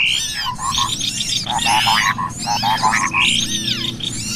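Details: Cucak kopi and small birds in a lure recording: short runs of quick, pulsed mid-pitched chatter repeated about every half second, mixed with crowded high squeaky twitters and rising whistles, plus a constant low hum.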